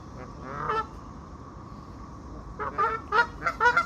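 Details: Goose couples on a lake, calling while swimming casually: nasal, trumpeting honks, a short burst at first, then a quick run of about six honks after a pause, over a low background rumble.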